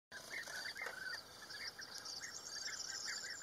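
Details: European bee-eaters at a small nesting colony in Rusenski Lom in early May, during courtship and nesting, birds crowding for places on the wall; rolling, mid-pitched notes repeat throughout, over a high insect-like chatter.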